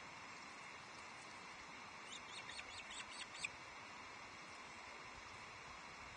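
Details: Loch Arkaig osprey, Nest Two, 11 July 2023, as a second fish, a headless trout, arrives at the nest: a quick series of thin, high, chirped notes in the middle, ending in one sharper note, against a constant background hiss.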